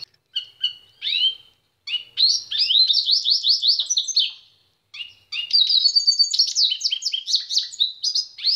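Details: Pintagol, a goldfinch and canary hybrid, opening with separate chirps and brief pauses, then launching into rapid rolling trills and bright twittering phrases, high-pitched and clear, with a short silent break midway and no other noises.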